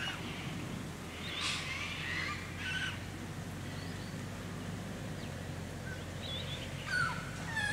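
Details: White-winged Choughs in a family clan in the Capertee Valley, New South Wales, October 2018: several faint, scattered harsh notes and short thin whistles over a steady low rural hum.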